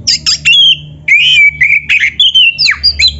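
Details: Lure song of a black-throated magpie-robin with canary fill-ins: a near-continuous run of warbled, swooping whistles broken by harsh clicks, each note short and bright, over low background hum.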